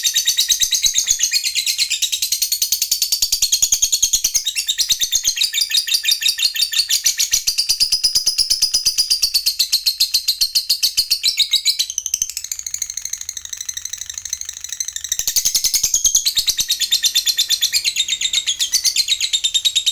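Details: A lovebird (fighter type, said to be used to stimulate silent lovebirds to sing) sings a long, rapid, high-pitched chattering "ngekek panjang" song that runs almost without a break.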